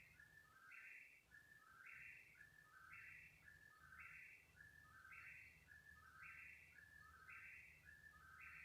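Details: An unidentified bird calling at 3 in the morning, keeping it up for about thirty minutes; a whistled three-part phrase, level note, higher burst, lower slurred note, repeated roughly once a second over a low hum.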